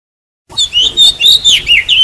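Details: Decoy oriental magpie-robin singing, the kind played to trap wild birds or spur other birds to sing: bright, varied whistles and slurred warbles delivered in quick pulses, roughly six notes in a second and a half, no other sounds.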